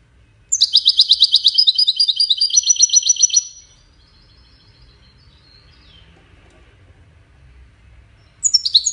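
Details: European goldfinch singing in the Widani style: a rapid, high twittering run of buzzy, tinkling notes lasting about three seconds, then a pause before another brief burst of bright chirps starts at the end.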